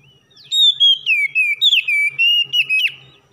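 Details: Morning oriental magpie-robin singing, used as training song to get reluctant birds to open their beaks: a fast run of clear, downslurred whistled notes with quick chirps, about a dozen in three seconds, faint low thumps beneath.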